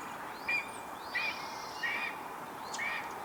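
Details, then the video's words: Female red-tailed hawk, possibly calling for her mate, gives four short, high, squeaky chirps spaced under a second apart over a steady background hiss; red-tailed hawk. "Strange noises from a Red-tailed hawk"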